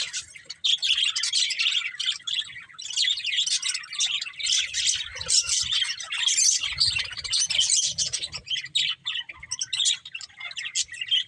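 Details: Budgerigars kept as pets, several birds chirping together in a dense, continuous chatter of short buzzy and warbled notes, overlapping without pause, with faint low rumbling beneath.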